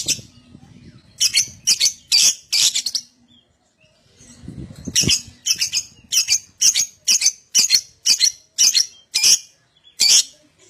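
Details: Lovebird calling as a lure to make other lovebirds sing ngekek: a burst of sharp, high chirps, a pause with low rustling, then a long series of clipped chirps about two per second.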